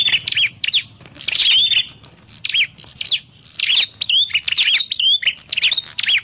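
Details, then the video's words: Prinia calling for use as a trapping lure: quick series of high, sharp chirps and bright rising-then-falling notes in short, irregular bursts. "Suwara Burung Prenjak_klawu Buwat_Mikat"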